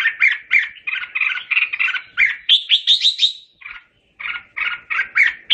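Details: Red-whiskered bulbul calling its flock with a lively song, a fast series of bubbling, slightly rough chirps that climbs into higher clear whistles, pauses briefly, then resumes the choppy chirping.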